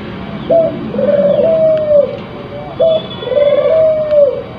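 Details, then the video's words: Spotted dove in breeding condition: two clear phrases, each a short high note followed by a long, even, slightly falling purr, about two seconds apart. "Suara Burung Puter yang Memukau"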